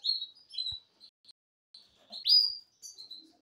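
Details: Male Belgian canaries in an aviary in breeding season, December 2022, sing bright, high twittering phrases and whistled notes while excited females begin nest-building.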